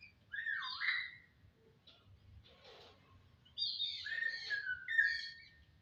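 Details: Starling, called jalak, opens with a swooping whistled phrase and a harsh rasp. After a quiet gap it gives a longer run of warbled, sliding whistles that fall toward the end.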